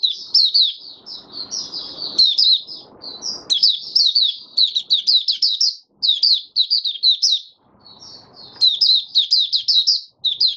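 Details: Oriental white-eye (Mata Puteh Raja) singing freely, fifth day after monthly deworming, 20 January 2022. Clusters of rapid, high, twittering notes alternate with short gaps, accompanied by occasional soft shuffling noises.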